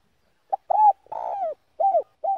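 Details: Spotted dove cooing in the slow Vietnamese 'giọng đồng' song style: a short opening note, then rounded mid-pitched coos, with one long drawn-out note that falls at its end. The recording is clean and has no other sounds.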